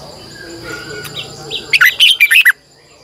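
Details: Red-whiskered bulbul used to call wild birds, singing its morning song; soft faint notes lead into a loud run of five chattering, slurred whistles, with a constant high hum.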